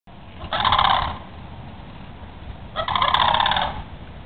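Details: Pair of sandhill cranes dancing at Holiday Park, Palm Bay, Florida, where they keep returning; two loud, rolling, rattling calls, each about half a second or more, spaced roughly two seconds apart over a quiet background.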